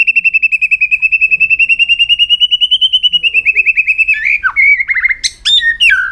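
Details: Super-long trill from a white-rumped shama in aggressive tail-flicking display to excite other birds: about four seconds of rapid, even, high notes drifting slightly upward, ending in a few sharp, varied whistles and downward slurs.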